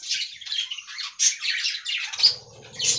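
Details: Budgies in an aviary, chirping and squawking in quick, irregular high bursts, with a low rumble entering in the final second.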